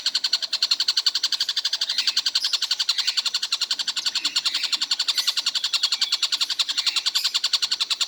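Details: Tengkek buto, a kingfisher that reportedly calls nonstop all day, giving a long unbroken series of rapid, rasping notes at an even high pitch, repeated about eight times per second with slight swells in loudness.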